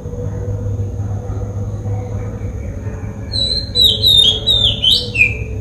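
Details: In Sri Lanka, after a few quiet seconds, an Oriental magpie-robin gives a quick run of varied, sweet whistled and slightly scratchy notes over a low steady hum.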